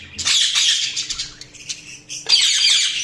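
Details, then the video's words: Chirping budgerigars produce a busy, scratchy warble of high squeaks and trills, dipping briefly in loudness before a fresh loud burst of chatter near the end. "Budgies Sounds| Budgies Chirping sound"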